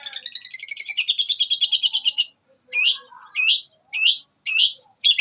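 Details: Long-tailed shrike, known locally as cendet, in mimicry master song: a rapid accelerating buzzy rattle lasting two seconds, followed by four loud harsh rasping squawks spaced about a second apart.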